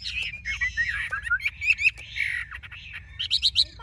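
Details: A big Chinese hwamei held by a Vietnamese bird trader delivers a rich, warbling run of whistles and slurs. The phrases rise and fall, and bright, high notes end the passage.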